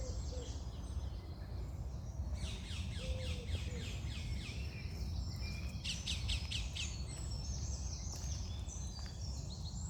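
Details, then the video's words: Several birds sing in the morning: repeated fast chirping trills, high sweeping whistles and a short low whistle, over continuous low-pitched background noise. "Start your day with birds singing"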